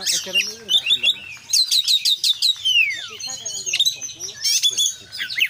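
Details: Singing Oriental magpie-robin (kacer) with richly varied phrases: clear whistles, a long descending slurred note, quick clicking chatter and sharp high chips, repeated in lively bursts.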